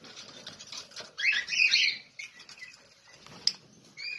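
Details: Lovebird chirps: one loud, scratchy burst of chirps in the middle, then a few short, thin chirps, with faint rustling throughout.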